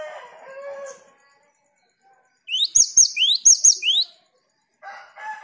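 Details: Cinereous tit (gelatik batu) on a lure recording meant to set off 'ngerol' rolling song: a short run of three or four rising whistle-and-chip phrases. Rough lower noises come before and after the phrase.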